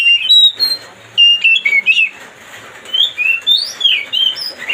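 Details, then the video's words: Provocation song of an Oriental magpie-robin (kacer), meant to make another bird emotional: bright whistled notes and slurred warbling phrases in several loud bursts separated by brief pauses. "mancing suara kacer biar emosi.."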